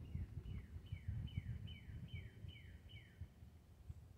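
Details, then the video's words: Calm cardinal chirping, a steady series of eight clear whistled notes that each slide sharply downward, repeated about every half second over a low background rumble. "Calm Chirping of Cardinal Birds"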